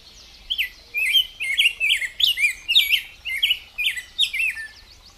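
Rose-breasted Grosbeak singing a fast, unbroken run of rich, sweet warbled notes, rising and falling like a hurried robin, with a faint low hum underneath.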